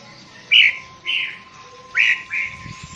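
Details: Sooty-headed bulbul, recorded as a lure: four short, soft whistled notes in two pairs, each slightly rising then falling, over a faint steady hum.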